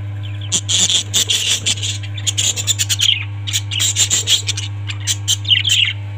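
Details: Parrots calling: dense bursts of sharp, high chirps and squawks in quick clusters, with several birds seemingly overlapping, over a steady low electrical hum.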